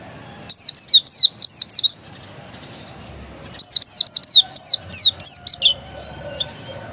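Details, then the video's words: Dakun-type Oriental white-eye, described as still original and untrained, giving two bursts of bright, high, downslurred chirps, about six notes each, separated by a short silence. "Suara burung pleci dakun masih asli"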